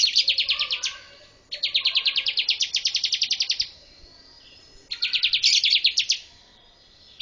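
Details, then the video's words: Bar-winged prinia song for training birds: three bursts of quick, evenly pulsed high chirps, each a dense trill of one to two seconds, with quiet pauses between and faint lower notes in the background. "BAR-WINGED PRINIA SINGING"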